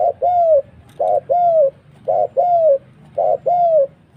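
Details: Spotted dove trapping lure: a paired pattern repeated four times, a short coo followed closely by a longer arched coo, every second or so, over a low murmuring background.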